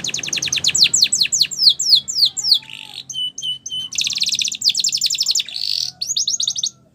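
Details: Caged canary singing a training song, a run of rapid downward-sweeping whistles, then short buzzy notes and fast metallic trills, about four notes a second.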